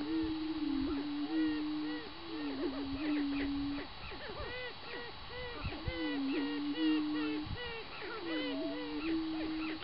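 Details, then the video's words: Spring display of booming greater prairie chickens, with sharp-tailed grouse also present, on Minnesota's northern tallgrass prairie: two long, low, humming booms of several seconds each under a busy chorus of higher cackling, whooping and clucking calls from many birds. "Prairie Chickens Booming"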